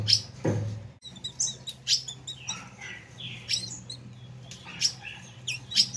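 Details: Ultramarine grosbeak giving a fiery chatter, used to stir up other grosbeaks: scratchy quick high chirps and short buzzy notes repeated every half second or so over a faint low hum.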